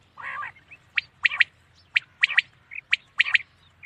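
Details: Common quail calling at night: a low nasal growling phrase, then sharp, clipped notes grouped in quick threes, repeated about once a second; steady low hum underneath.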